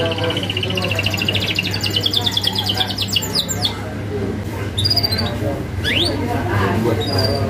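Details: Canary with sharp rolling song, meant as a master for young canaries: an opening rapid trill sliding slightly upward, then sparse high whistles and an upslurred note over a low hum.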